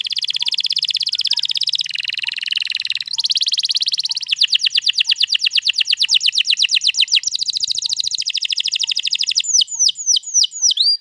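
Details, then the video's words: Canary's long rolling song, dated 21 April 2022 and meant to coax other canaries into singing: successive high trills at changing speeds, fast buzzy rolls, then a slower run of sharp, sweeping whistled notes at the end. "pancing burung kenari jadi ikut bunyi GACOR Ngerol Panjang"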